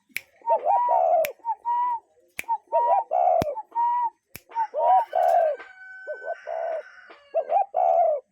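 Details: Repeated cuckoo calls outdoors from a real bird: a long series of paired notes, a brief hooked note followed by a longer, gently falling one, with scattered sharp clicks and a thin steady tone later.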